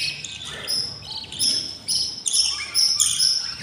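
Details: A nest of six hungry budgerigar chicks, day 20, gives rapid scratchy begging squeals, short harsh notes tumbling out in quick succession with shrill, tinny edges.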